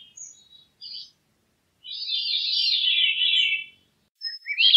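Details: Veery singing a reedy, swirling phrase that tumbles gradually downward for nearly two seconds, preceded by a few faint short notes and followed by a brief rising note.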